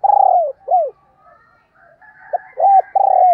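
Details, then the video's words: Decoy spotted dove calling to lure wild doves: loud hoarse coos, a long cooing note, a short arched note, a pause, then a clipped note and two more strong coos. "Tiếng Chim Cu Mồi Gáy Gọi"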